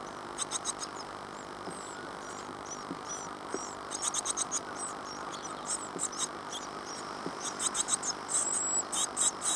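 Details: Great tit nestlings in a nest box at Falmouth, UK, 14 days after hatching on 25 April 2011: high, thin, clustered cheeping that comes in bursts over a steady hum.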